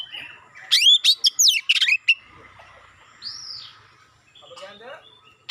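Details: Oriental magpie-robin delivering sharp, clear provoking song aimed at other magpie-robins; a quick run of loud sweeping whistles and chips, then a softer warbled note and near silence before one more sharp note.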